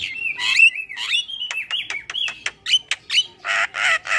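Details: Starling of an unspecified kind, from a lure recording for caged birds: a long, bending whistled phrase with scratchy edges, then sharp clicks, and finally three loud, harsh rasping screeches.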